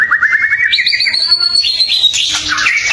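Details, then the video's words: White-rumped shama singing, meant to goad other shamas into replying; a quick series of repeated chipping notes gives way to a long clear whistle, then a burst of harsh, scratchy high notes. "Suara murai batu gacor AMPUH buat pancingan murai batu agar emosi LANGSUNG NYAUT"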